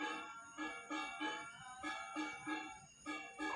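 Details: Soft bell-like music with rich sustained tones, pulsing in swells about every half second.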